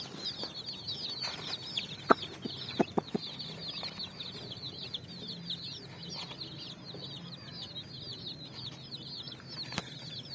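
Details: Colourful chicks running on sand at evening while looking for food: a constant chorus of thin, high peeps, with a few sharp taps early on and faint low rumble beneath.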